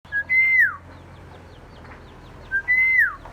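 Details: Common myna, a bird said to make many different sounds and able to learn human voices. It gives two clear whistled phrases, each a short note and then a long level whistle that slurs downward, about 2.5 seconds apart, over faint chirping of other birds.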